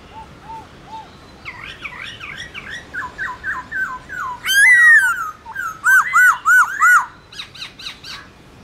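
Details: Morning song of a trained Black-throated laughingthrush in forest style: quiet short whistles, then a rapid run of repeated chirping notes, followed by loud ringing whistles that rise and fall and a final quick chatter.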